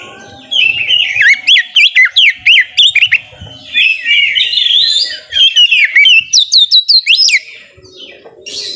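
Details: White-rumped shama in full song, used to coax reluctant shamas into singing: rapid series of bright whistled swoops repeated in quick bursts, sharp high ticks, then a jumbled chattering stretch before a final rising whistle.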